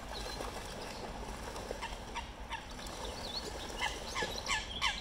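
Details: Eurasian coots in London, UK, fighting over territory among coot families: a busy run of short, sharp, clipped calls repeated irregularly, about three a second, with brief noisy bursts over a steady low background rumble.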